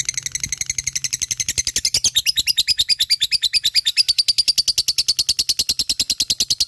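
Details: Lovebird of fighter type in a long ngekek run: dense, rapid, grating high chatter, roughly eight notes a second, growing slightly louder and more even partway through.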